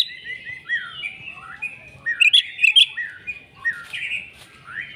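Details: Oriental magpie-robin in agitated fighting song: soft warbled and slurred whistles with a brief loud chirping burst in the middle.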